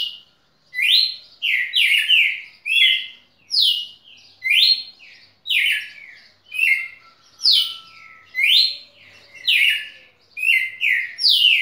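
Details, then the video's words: Red-cowled cardinal serving as song tutor, giving a continuous sequence of bright whistled notes that sweep up and down, about one per second, with a faint low tone briefly in the background. "Galo-de-campina professor"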